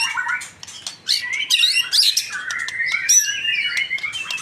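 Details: Captive young male white-rumped shama in Indonesia, a pastol bird, singing a varied run of twittering notes, bright downslurred whistles and harsh rasping bursts, with a brief quiet gap near the start.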